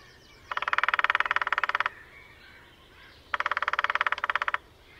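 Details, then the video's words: Two drum rolls from a lesser spotted woodpecker displaying at dawn-time in sunshine at Sandemar Reserve, Sweden, one of a territorial pair, recorded with a parabola: each a rapid even rattle of sharp taps over a second long, separated by about two seconds of quiet. "Display of Lesser Spotted Woodpecker at Sandemar Reserve, Sweden."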